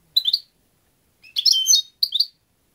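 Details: European goldfinch twittering: a short chirpy phrase, a longer rich jumble of high tinkling notes, then another brief chirp, all clean and close.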